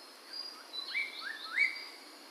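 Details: Chinese hwamei from Medan delivering a run of sweet, slurred whistles, each note rising sharply then gliding off, over a constant faint hiss.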